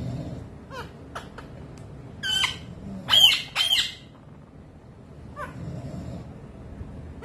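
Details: Young pet parrot trying to woo its owner's foot in courtship: a few short harsh squawks and sharp chirps, a loud burst of rasping squawks in the middle, quieter notes before and after, faint low room hum.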